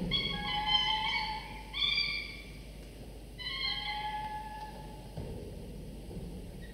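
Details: Two falcon chicks, about 24 to 25 days after the first egg hatched, calling in their nest during a morning feeding while their father brings prey for breakfast. Drawn-out, whining, slightly falling harmonic notes come in three separate bouts.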